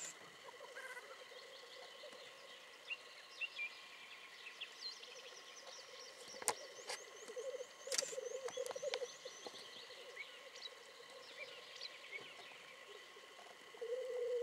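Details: Black grouse at their lek in spring 2010, giving a low, steady dove-like bubbling broken by a few sharp hissing sneezes; thin chirps from other birds overhead.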